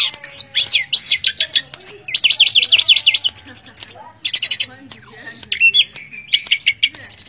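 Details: Energetic song of a mangrove blue flycatcher: repeated rising-falling whistled notes, a rapid rolling trill and a long descending whistle, mixed with sharp clicks, continuous and varied throughout.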